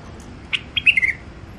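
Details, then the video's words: Wild-caught songbird from Mandali, Iraq, offered for sale, utters a short sharp note then a brief slurred whistle that slides downward, over quiet background hum. "تغريد مخاليف وحشيه كاع منفذ مندلي طيور نظيفه وصوت صافي"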